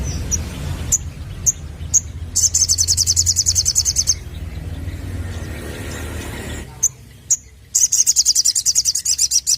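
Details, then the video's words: Sunbird lure for young birds: spaced sharp high chips alternating with long, very fast, ringing high trills, separated by a quieter stretch of low rumble. "Burung Sogon Muda Bakalan Langsung Nyaut Denger Suara Pancingan ini"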